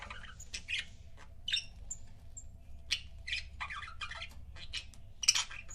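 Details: Quiet, irregular chirps and thin whistled notes from budgies kept as pet couples, with a sharper squawk near the end and steady low background noise.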